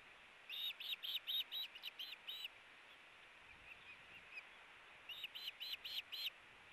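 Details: Two ospreys fighting over a fish on their nest, nest cam, 8-4-18. Two even runs of about seven high, clipped whistles each, spaced roughly a quarter second apart, over a steady hiss of background noise.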